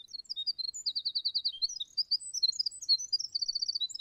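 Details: Winter wren singing: a loud, rapid, tumbling song of high tinkling notes and fast rattled trills, shifting pitch constantly with no pause, voice big for such a small bird, over a quiet background.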